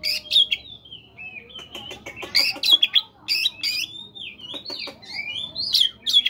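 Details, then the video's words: Oriental magpie-robin held in a cage, singing in the morning to stimulate other birds: shrill clipped whistles mixed with harsh buzzy bursts and sliding notes, delivered in quick irregular phrases. "terapi kacer pagi hari PANCINGAN kacer biar cepat bunyi"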